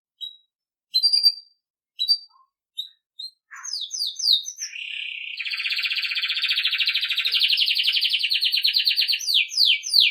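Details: Belgian canary song for training young birds: scattered short chirps, then quick descending whistles leading into a long, loud, rapid rolling trill and final downslurred notes.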